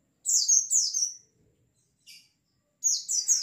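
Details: White-eyes in a lure recording for caged birds: two groups of sharp, high, falling chirps, a lone faint note, then another run of three quick chirps, in a quiet setting.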